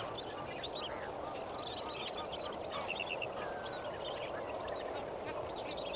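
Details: Lesser Flamingos at Kamfers Dam at dawn on 18 May 2024 keep up a thick, unbroken din of honking and gabbling from many birds. Bursts of rapid, stuttering notes rise and fall throughout.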